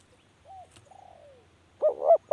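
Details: Soft, faint, falling notes, then a spotted dove's quavering double note beginning a coo phrase that is cut off at the end.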